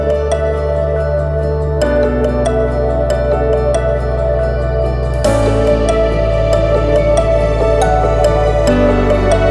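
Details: Calm new-age music fills the recording with sustained low chords, layered tones and soft repeated piano-like notes, with no animal voice anywhere.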